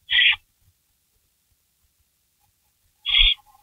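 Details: Barn owl at a night-time rabbit delivery, May 16, 2012, 3:53 AM: two short, raspy hissing screeches about three seconds apart, with quiet between and a low thump under the second.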